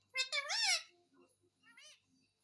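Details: Pet parrot talking and asking for roti. One long, high, wavering speech-like phrase is followed after a pause by a shorter, fainter word in a quiet room.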